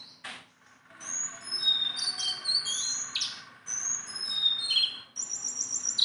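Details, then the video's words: Sunda bulbul, a tame bird that can be handled, in a continuous string of short, very high whistled notes and quick slurs, some trilled, broken by brief gaps. "BURUNG JONGKANGAN GACOR TELER JINAK PETETAN"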